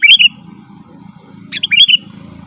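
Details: Two short, bright phrases from a sooty-headed bulbul in lively song used for luring wild birds: looping clear whistles about one and a half seconds apart, with a low hum beneath.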